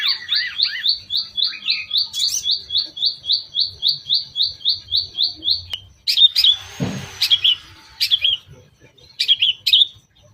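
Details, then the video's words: Long-tailed shrike lure song for attracting other shrikes, toet toet style: a rapid steady run of clipped high notes, about three per second for six seconds, followed by a few sharper chattering notes and a soft thud. "KICAU Pancingan CENDET toet toet sambung isian"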